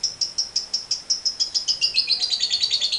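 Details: Lovebird in long 'ngekek' trill, a lure to set other lovebirds singing: evenly spaced sharp high chips, about three or four per second, quicken and merge into a denser, lower, buzzing chatter in the second half.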